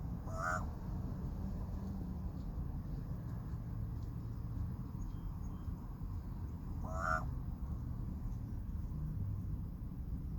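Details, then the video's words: A big male common raven, just after tending his chicks in the nest, gives two short honking calls about six seconds apart over a steady low wind rumble. "Raven making cool sounds after tending to chicks"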